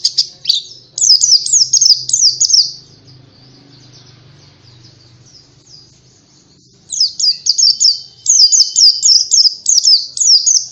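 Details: White-eye, called pleci, a caged songbird, giving bursts of high, thin, rapidly repeated chirping notes with downward slurs, a quiet pause of about four seconds, then a second lively burst of the same quick twittering.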